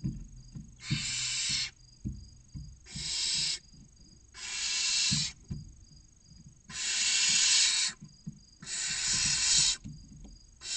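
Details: Six barn owl young, 16 to 29 days old, in a Cabañeros National Park nest box, Castilla-La Mancha, Spain, hiss for food: a steady series of rough screeching hisses, one every two seconds or so, amid quiet scuffling.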